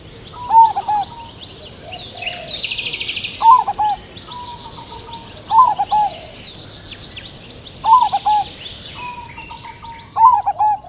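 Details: Crossbred zebra dove with a big voice, single vocal style, recorded against a nature background: five rhythmic rolling coos spaced roughly every two and a half seconds over steady hiss and distant birdsong.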